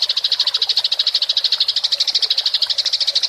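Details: Rolling chatter from a fighting house sparrow, meant for training songbirds: a clean, steady run of sharp high chirps at about ten per second.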